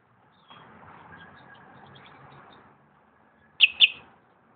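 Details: Slate-colored solitaire at Xel-ha giving two sharp, high ringing call notes in quick succession near the end, following a soft low rushing background.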